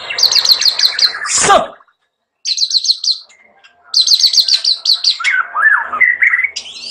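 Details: White-rumped shama singing rapid pulsed high trills in bursts separated by pauses, one interrupted by a brief harsh noise, then melodious slurred whistles and a rising flourish.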